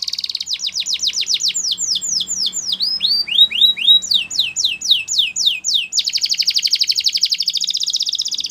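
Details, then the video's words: Russian canary singing a loud, high song of rapid rolling trills, then a run of repeated descending swooping whistles, each note falling and about four per second, ending in a fast buzzing roll. "Russian Canary Singing !! Canary Bird Song"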